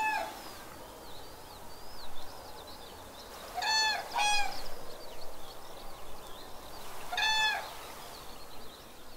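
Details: Visiting common cranes on wet meadows at Gallows Bridge Farm, Buckinghamshire, UK, in May 2018, phone-scoped; two bouts of loud bugling, rippling calls, a close pair of notes then another burst, over constant high chatter of small birds.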